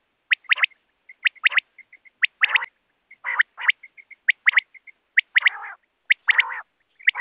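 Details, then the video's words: Common quail (batair) repeating its clipped three-note call steadily, about once a second, with soft twin chirps and occasional rough buzzy notes between phrases. "Common Quail Sound"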